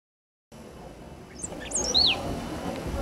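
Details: A Great Pampa-finch at Canela, Rio Grande do Sul, Brazil, in October 2004 gives a brief phrase of three thin, high notes, the last a clear downward slur, over a soft background hiss.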